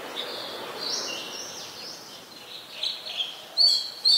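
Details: Adult Chestnut-headed Bee-eater in Ubon Ratchathani, Thailand, January 23, 2021, Nikon P1000 recording: a run of high, thin, buzzy notes, with sharper loud chips toward the end against faint background noise.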